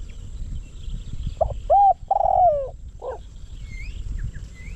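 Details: A spotted dove decoy for luring wild doves gives a single cooing phrase of short notes, a long falling coo and a soft closing coo. Afterwards, thin whistled chirps from another bird are heard.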